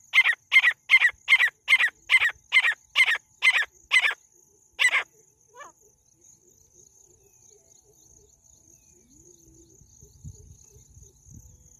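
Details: A female jungle francolin gives about ten harsh, grating notes at a quick, steady pace, then one or two stragglers, over a thin, steady high insect tone.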